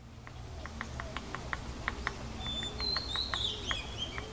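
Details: Racket-tailed treepie at a bird bath in Thailand giving quick dry ticking notes, about three a second, with a few thin high whistles partway through over a low background hum.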